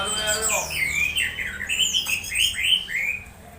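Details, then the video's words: Orange-headed thrush making strange excited sounds, used as a lure to stimulate other thrushes to sing; a quick series of slurred, whistled and squawky notes, several sweeping up and down, packed closely over a few seconds. "Suara suara aneh anis merah saat di cas ampuh pancing anis merah bunyi"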